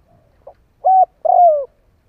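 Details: Caged decoy spotted dove calling wild birds in, with a faint opening note followed by a level coo and a longer, downward-sliding coo, in otherwise quiet surroundings.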